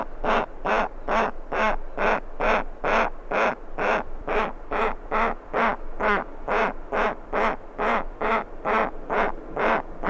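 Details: A giant petrel chick begs for food with harsh, throaty calls repeated steadily about twice a second, each one a short hoarse burst, with skuas and terns in the background.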